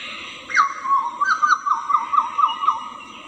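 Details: Hooded butcherbird in the wild, singing a clear whistled phrase: a sharp rising note, then a run of slurred fluting notes around one pitch, repeated quickly for about three seconds, with faint background hiss.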